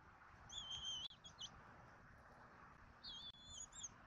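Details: At a Southwest Florida nest, bald eagles (adult female, male and eaglet) call at dinner time, 14 February 2024. Two strings of piercing, thin whistled notes, slightly wavering, separated by a pause, over low background noise.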